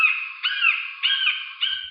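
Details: A red-shouldered hawk (Buteo lineatus), a species noted in local fir trees and picnic areas, gives four loud, clear, slightly slurred 'kee-ah' calls, roughly two each second, with nothing else heard.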